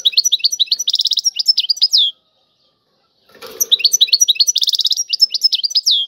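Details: Two matching phrases of European goldfinch tiwawati song, each a quick string of chirps, a rattling trill and a descending slurred note, with a brief soft rustle before the second phrase.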